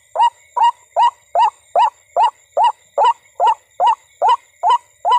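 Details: White-breasted waterhen, known locally as ruak-ruak, calling at night around a corn field used for bird hunting: a rhythmic chain of thirteen rasping, slightly rising croaks, evenly spaced.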